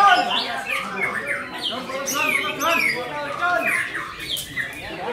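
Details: Murai batu (white-rumped shama) singing a varied 'gacor' medley: repeated downward-slurred whistles, quick chirps and scratchy squawks tumbling over one another in a continuous stream.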